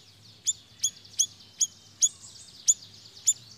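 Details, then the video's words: Energetic siri-siri lure sound meant to pull in birds: a handful of sharp, high, ticking chips spaced about half a second apart over soft, steady background hiss. "Suara Pikat BURUNG SIRI SIRI GACORR"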